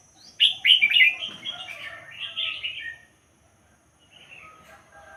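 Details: Red-whiskered bulbul from the pied-head line delivering a lively, tumbling warble of chirps and slurred whistles for about two and a half seconds, followed by quieter, lower whistled notes.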